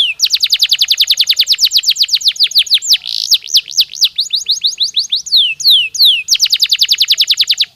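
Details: Stimulating canary song meant to boost bird activity for a more successful breeding season; fast rolling trills of falling whistled notes, several changes of tempo, a brief slurred whistle near the middle, ending in another rapid trill.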